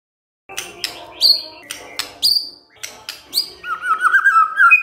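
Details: White-rumped shama song used as a lure for silent birds: sharp clicking and snapping notes with bright high whistled flicks, ending in a warbling run of mid-pitched whistles.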